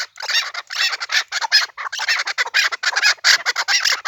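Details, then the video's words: Pamir chukar cackling in a loud, continuous stream of broad, rasping notes with brief gaps, sounding like several overlapping calls. "Кабки Помир"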